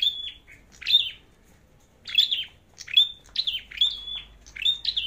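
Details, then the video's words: A red-headed flowerpecker sings for a singing contest, a high, shrill twittering. One phrase with a long level whistle comes first, and after a pause, clustered chip-and-whistle phrases follow closely together. "Chim Sâu Đầu Đỏ Hót Đấu"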